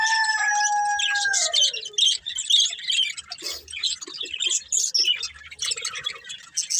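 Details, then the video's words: Budgerigars, a breeding pair: a held, even tone slides down at the start, followed by lively, scratchy chirps and chatter bursting irregularly about twice a second. "Cute Budgies Chirping Sounds | Love Birds Breeding Pair"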